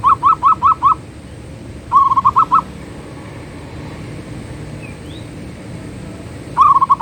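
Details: Zebra dove (perkutut) manggung song in three bursts: five quick, soft cooing notes, then after a second a similar five-note run, then a long pause before a final quick series.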